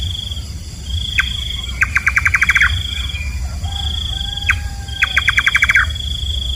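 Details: Nightjar, locally named kabam, calling twice: each time a single hard chop, then a fast rattling string of about eight to nine even notes. A constant high cricket-like trill and a soft low-pitched whistle are also heard.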